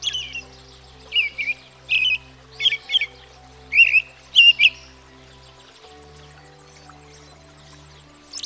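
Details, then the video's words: American Robin song from an American backyard: a run of about seven whistled caroling phrases, rising and falling, delivered in quick succession, then quiet with a steady low hum continuing. "American Robin (Turdus migratorius)"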